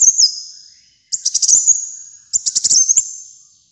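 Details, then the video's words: High, thin sunbird song from a caged kolibri muncang: repeated phrases opening with a fast stuttering rattle and trailing into a sustained piercing whistle, phrases roughly every 1.2 seconds. "Kolibri Muncang Gacor Dor untuk Masteran dan Pikat Ampuh"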